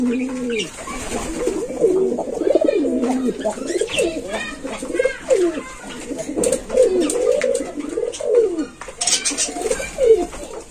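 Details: Young Indian Lotan pigeons give low, throaty, rolling coos in quick overlapping bursts.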